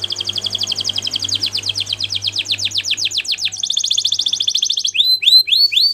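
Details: Canary song used for training: a fast series of rhythmic, high, downslurred notes that slows and gets louder. It switches to a rapid buzzing trill and ends with repeated rising whistled slurs over a low steady hum.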